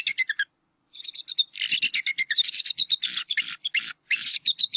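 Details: Nesting bald eagle pair in northwest Georgia, April 2018, calling while the male chases an intruder from the nest; nearly continuous high-pitched, squeaky chattering, rapid piping notes running together with only brief pauses.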